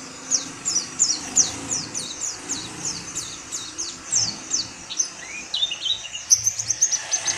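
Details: Oriental white-eye of tropical Asian woodland, where it forages in small groups, calling in a rapid series of high thin downslurred chips, about two to three per second, ending with brighter twitters over low rumbling noise.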